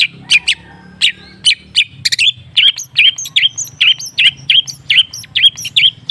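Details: Long-tailed shrike (cendet) lure song for a bird that has stopped singing: scratchy chips, then a steady run of short notes about twice a second, each ending in a twangy, slightly rising tone, with faint high whistles.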